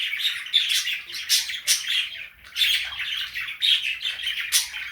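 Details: Morning song from a female cockatiel kept indoors, with pet budgies chiming in; a busy stream of bright chirps, short whistles and scratchy warbles rising and falling in loudness, with a brief lull midway.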